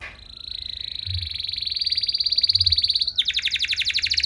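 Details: Domestic canary in full, active song with long sustained tours and rich variations, meant to provoke other canaries into answering: a steady buzzy trill rising slightly over three seconds, then abruptly switching to a faster, choppier rolling trill.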